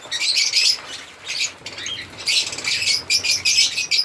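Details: High, harsh chirps from African lovebirds in stuttering bursts, a quieter lull in the middle, then renewed rapid squeaky chatter.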